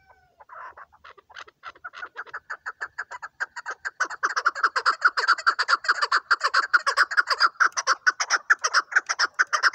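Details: Chukar partridge, a hunting chukar, opening with a soft cluck or two, then a long, accelerating series of grating chuk notes that grows steadily louder over ten seconds.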